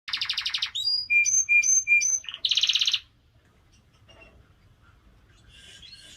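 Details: Canary singing in Slovenia: a rapid rattling trill, then clear whistled notes alternating high and low in a repeated pair pattern, then another fast buzzy trill, followed by faint quieter notes.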